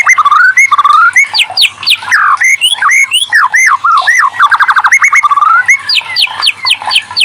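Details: Shama, the white-rumped kind, pouring out lure song to coax quiet birds into singing: clear looping whistles, repeated upslurred notes and a fast stuttering series of chips, very loud and varied.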